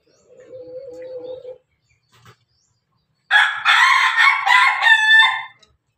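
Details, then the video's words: Pelung Bangkok rooster among feeding hens. A quiet, steady, hum-like note is followed after a pause by a powerful, rough crow lasting over two seconds, with a jerky, stuttering second half. "ayam pelung Bangkok makan bersama ayam babon, suara ayam ketawa berkokok"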